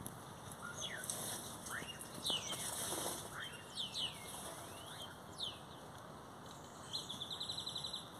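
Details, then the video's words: Great-tailed grackles (Quiscalus mexicanus) singing a jumble of loud slurred whistles sweeping up and down, harsh noisy bursts, and a quick rattling run of clicks near the end. "tordos cantando ( Quiscalus mexicanus)"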